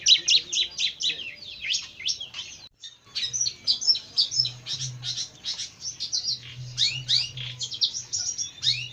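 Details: Jentet bird singing a fast, continuous run of high, sharp chirps and downslurred whistled notes, with a brief pause near three seconds, over a faint low hum.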